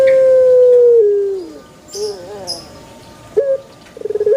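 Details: Banana-garden puter pelung dove finishing a long coo that slides downward, then soft wavering notes, a short upward note and a stuttering onset of the next call.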